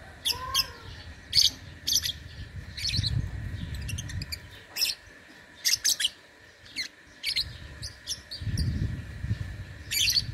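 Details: Lovebird singing in an online singing contest, two and a half months into its training; sharp high chirps and buzzy bursts come in irregular clusters, with low rumbling background noise between phrases.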